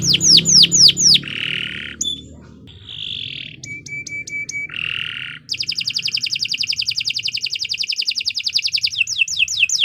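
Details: Canary singing a long, lively song used as tutor material for training other birds: repeated falling whistled notes, a buzzy mid-pitched phrase, sharp metallic notes, then a long fast high trill ending in descending slurs.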